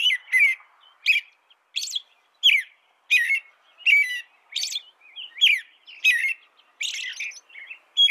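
An American robin carols in short, rich whistled phrases, rising and falling, about one every half second to second, with squeaky high notes mixed in.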